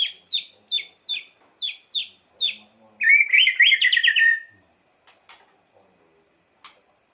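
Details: White-rumped shama singing to provoke emotion, opening with a string of sharp downslurred chips roughly every third of a second, then a dense buzzy trill, and a few faint clicks afterward.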